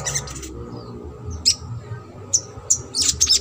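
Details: Sogok ontong trotol lure song: a short high chatter, then single bright, sharp chips at irregular intervals, ending in a quick cluster of shrill notes over a low hum.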